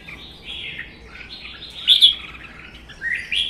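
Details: Red-whiskered bulbuls in a caged singing duel, one wild-caught and held one season. Soft, drawn-out warbling, then a sudden loud bright note and a rising phrase at the end.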